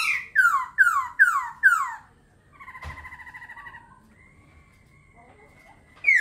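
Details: Laughingthrush pouring out five strong, evenly spaced downslurred whistles in under two seconds, then a buzzy vibrating note and a long thin tone before another loud phrase.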